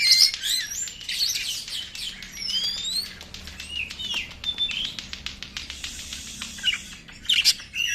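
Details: Oriental magpie-robin used as a lure to provoke singing: high whistled slurs and chirps over a long run of dry rapid clicks, like wing flutter.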